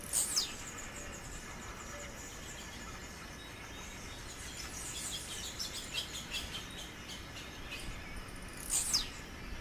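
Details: Wild blue-black grassquit singing in nature: two short, explosive buzzy notes sweeping downward from very high pitch, about nine seconds apart, over steady insect hiss and faint background chirps.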